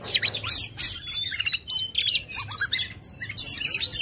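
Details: An aggressive white-rumped shama, a lure for a lazy bird: loud sharp clicks alternating with clear high whistles, some rising, some falling, in choppy rapid phrases.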